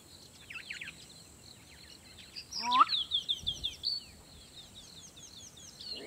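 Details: A black-bellied bustard in the bushveld at sundown gives a short, rising, nasal squeal followed by a dull low pop, likened to a champagne cork popping, over a busy chorus of high chirping small birds.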